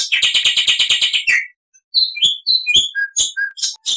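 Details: Black-winged starling singing a fast, loud run of rasping pulses, then after a short pause a scattered mix of high chirps, squeaks and short whistles; clear, without background noise.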